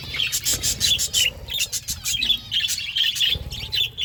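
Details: Flock of budgies eating food, chirping and warbling almost continuously in rapid, overlapping twittering notes, mixed with light clicking.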